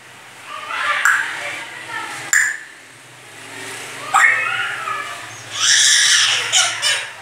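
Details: Bathed pet grey parrot talking and coughing indoors. Scattered speech-like syllables separated by pauses, with a sharp click, followed by a loud, raspy, broadband burst near the end, like a cough.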